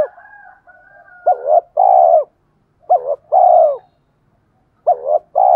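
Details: Spotted dove luring wild males to fight, in 'thổ pha' voice style. Soft low notes lead into three phrases, each a quick double coo followed by a long drawn coo, with brief pauses between.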